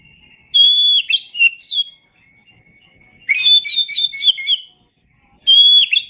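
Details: Oriental magpie-robin singing on a tutor recording for songbirds. Bright whistled phrases start with a steady pure note and break into quick chattering trills. Three phrases come in quick succession against a near-silent background.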